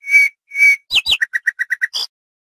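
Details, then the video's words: A female Oriental white-eye chatters in song: two drawn-out whistled notes, two quick downslurred chips, then seven fast, even twitters and a final higher note. "Ratu ngeriwik!!! Pleci betina sedang ngoceh ngepoll"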